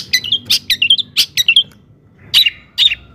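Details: Long-tailed shrike song for provoking rival shrikes: clustered bright chirps and short warbled phrases, a pause, then two separate sharp calls.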